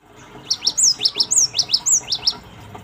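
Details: Cinereous tit lure recording meant to provoke birds to answer: a rhythmic series of high, sharp two-part whistled notes, about four per second, each slurring down, over faint background noise.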